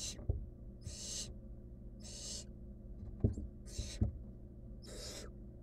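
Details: Wild barn owl chick in a research nest box while downing a rodent; rasping hisses repeat about every second, broken by sharp knocks and scuffling sounds of movement.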